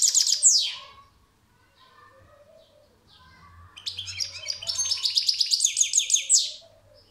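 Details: European goldfinch gives a short twittering phrase, then a quiet gap with faint soft calls, followed by a long run of rapid, evenly pulsed high chattering notes lasting nearly three seconds.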